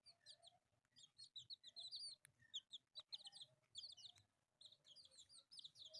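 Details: Playing pet chicks, four of them, colourful, producing clusters of thin high peeps that slide downward, delivered in rapid irregular bursts with short pauses.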